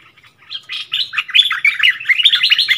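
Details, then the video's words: Bulbul singing in a heated duel with a wild bird, recorded 27 March 2021: a dense run of bright, warbled phrases, rising and falling, growing louder after a quiet start and continuing without pause. "เสียงต่อนกดอกแตงEp.39 เปิดดอกดวลเดือดกับนกป่า Burung merbah lekir"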